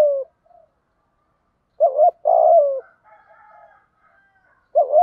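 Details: Spotted dove call used for training and rousing a newly caught bird: a brief coo fragment, then a double-note coo followed by a long descending coo, a soft higher harmonic sound, and the phrase starting again.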